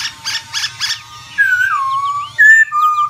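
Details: Black-throated laughingthrush shifting its voice as it sings: three harsh buzzy bursts open, followed by smooth clear whistles sliding down and a brief higher note before a lower sustained whistle.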